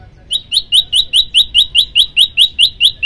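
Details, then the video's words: Prenjak lumut, a prinia, singing a long unbroken burst for song training: a rapid, regular string of bright, high, chipping notes, each rising slightly, about two and a half per second, with quiet background. "tembakan 40 detik sekali napas masteran prenjak lumut"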